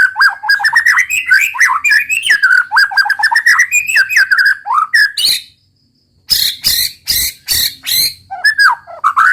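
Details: White-rumped shama delivering a long, fluent roll tembak song of rapid, slurred, rolling warbles, a short silence, then loud harsh crackling bursts and a final warbled phrase.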